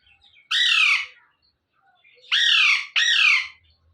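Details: Alexandrine parakeet, a pet parrot, giving natural calls in the morning: three loud, harsh, downward-sliding squawks, one then a pause of over a second and a closely spaced pair, in a quiet room.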